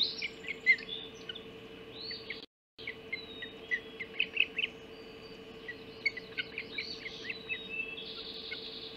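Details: Ospreys at the Hog Island nest at 04:50 on 30 June 2016, during the breakfast delivery of a mackerel: scattered high, sharp whistled chirps and slurred notes come in loose bursts over a steady low electrical hum, with one short dropout.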